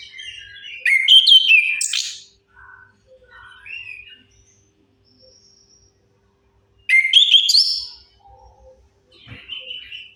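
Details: Orange-headed thrush lure song for birds that have stopped singing. Two loud phrases of sharp rising whistles and buzzy trills, about five seconds apart, with soft scattered notes in between.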